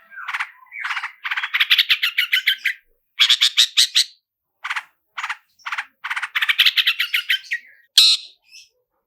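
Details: Long-tailed shrike lure song in roll speed and roll tembak style: grating, rattling note series, lower and rougher, delivered in bursts with scattered single notes and a final loud squeak.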